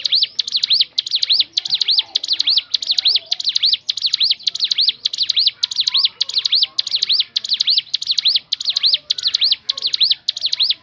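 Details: Crescent-chested babbler singing, a recording meant to draw other birds into song; sharp, high looping chirps repeated quickly and regularly throughout.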